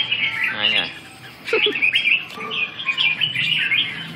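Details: Red-whiskered bulbul in song practice, dated 2/6/2012: bright warbled and chirped phrases in quick bursts, broken by a brief human voice near the start and middle.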